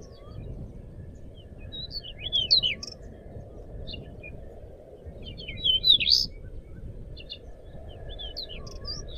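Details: Tutor recording of an actively singing pied bushchat: scattered high chirps and twisting whistled phrases, louder bursts around the middle, with a low, droning noise floor throughout.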